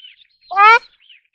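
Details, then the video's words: Single drawn-out nasal honk of a ruddy shelduck, steady and slightly rising, with faint high thin sounds before and after. "黃麻鴨(瀆鳧)/Ruddy Shelduck"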